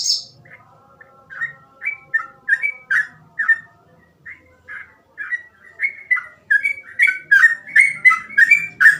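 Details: Sooty-headed bulbul in quick 'gacor ropel' song: a high chip, then scattered mellow whistles that speed up into dense, bubbling phrases of rising and falling notes.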